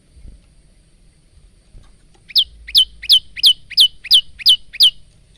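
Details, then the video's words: Male bar-winged prinia in full song with varied phrases, recorded on a phone and used as training song for cage birds: after a quiet start, eight sharp high chirps repeat briskly, about three per second. "masteran handal burung prenjak lumut"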